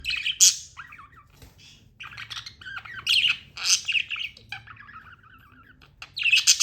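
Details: Pet budgerigar chirping: bursts of sharp high squawks alternate with softer, warbling chatter and buzzy notes, with brief quiet gaps between phrases and a faint low hum underneath.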